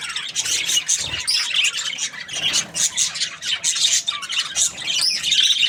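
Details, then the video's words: Contented budgie chatter made of pulsing bursts of squeaky, raspy warbling that rise and fall roughly every half second. "Happy Budgie chirping sounds"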